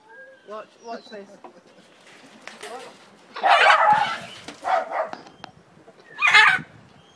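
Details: A captive breeding pair of Hyacinth Macaws in England: three loud, harsh, grating squawks about a second apart, preceded by softer, lower murmurs, possibly a voice.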